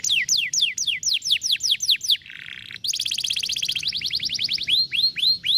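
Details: Canary song played to make a lazy canary sing: steady series of loud falling whistles, a low buzzy rasp, then a fast high trill ending in slower rising-falling whistled notes.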